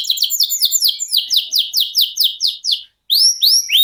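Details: Caged canary singing long rolling 'ngerol' song for training contest birds: a steady run of about fifteen fast descending whistled notes, a short pause, then bright rising upslurs.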